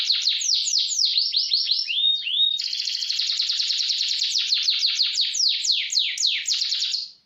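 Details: Lively canary in fast roll song for training: quick downward sweeps and rising whistles, then a long continuous roll of rapid descending notes that fades out at the end.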